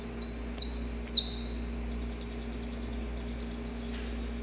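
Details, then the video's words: Saffron finch recorded in the wild: three sharp, high descending notes in quick succession, then a few fainter, more distant notes after a pause, over a steady low background hum. "Canto Para Esquentar o Canário da Terra - Gravado na Natureza!"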